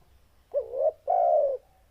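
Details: Spotted dove giving a deep, loud call: two low mellow coo notes, the first short and slightly rising, the second longer and steady, with a quiet background.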